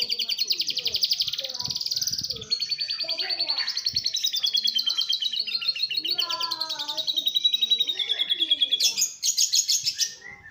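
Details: Atlantic canary singing a fast, tightly packed lovebird imitation: continuous high buzzy trills that shift pitch in waves, ending with an abrupt, very high rapid rattle, with faint lower chirps underneath.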